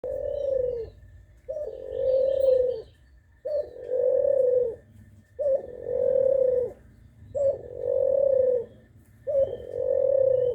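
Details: Spotted dove calling, a low hollow coo about every two seconds, each a short rising note followed by a long, steady, drawn-out coo, six phrases in all, over a faint background hum.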